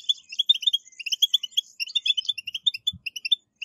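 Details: European goldfinch song used to stimulate caged goldfinches into singing: a rapid, high-pitched twittering run of short bright tinkling notes, continuing throughout.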